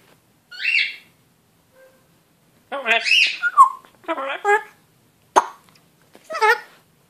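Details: Male African grey parrot kept as a pet, imitating a human voice and adding a stretched "saaan" after his name: separate speech-like syllables, one brief whistle, a sharp click, then a final harmonic-rich utterance.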